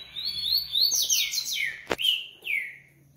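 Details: Double-collared seedeater delivers a fast, continuous string of high slurred whistles and twitters, interrupted by a sharp click, then ends on a long down-slurred whistle.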